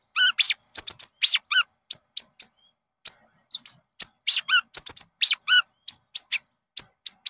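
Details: Konin (olive-backed sunbird) lure recording for coaxing caged birds to sing. Lively high chattering with quick chips and several fast descending twittered phrases, in busy bursts.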